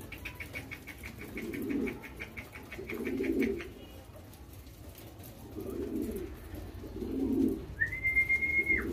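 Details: Hand-fed young homing pigeons make low, husky calls in repeated bursts about every one to two seconds. Fast pecking clicks are heard early, and a steady human whistle closes the recording.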